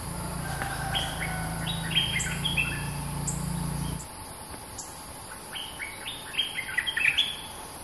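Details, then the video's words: Streak-eared bulbul, a dominant local bird singing long songs: rapid series of short whistled and slurred notes, with a low hum in the first half and insect hiss throughout. "เสียงนกดอกแตง Ep.212 จ้าวถิ่นดุ!! สับเพลงยาวน่าฟัง Suara pikat merbah lekir gacor"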